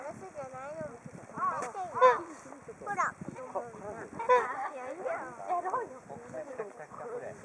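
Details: Whooper swans in a flock awaiting food at Hakuchodai Sebatto on the Onuma and Konuma lakes, Japan, giving scattered overlapping honking and bugling calls, softer and more spread out, with a hissing background.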